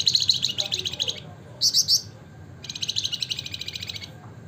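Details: Javan fulvetta, known in Indonesia as wergan jawa or flamboyan, in ngebren-style song: a fast chattering high trill, a short pause, three quick sharp notes, then another long rapid rattle, with low background hum.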